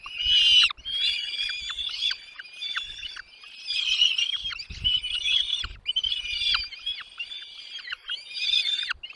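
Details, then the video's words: Nestlings call noisily as their mother and father bring food to the nest. High, rapid, overlapping squeaks and chirps come in loud clusters separated by brief quieter gaps, with faint low thumps beneath. "mom dad birds brings food to feed their chicks in the nest"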